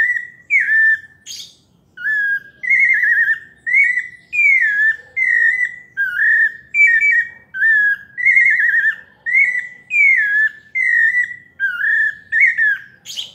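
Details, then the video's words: Long melodious song of a pale-breasted thrush of the São Paulo type, about twenty varied whistled phrases in quick succession, falling slurs mixed with warbles and trills, and a few faint higher notes. "Sabiá parda paulista canto melodioso"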